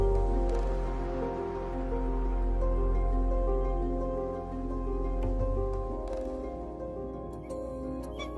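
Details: Gentle new-age music with sustained low tones and soft plucked, harp-like notes, and no animal sounds.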